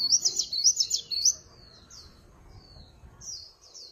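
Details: Swinhoe's white-eye in a noise-free recording: an opening burst of rapid, high warbling, followed by a few isolated thin, downslurred notes separated by short silences.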